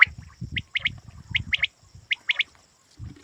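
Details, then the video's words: Quail call used for hunting: quick high three-note bursts, tightly grouped and repeated, over steady low rumbling and rustle in the background. "Shikari batair ki awaz"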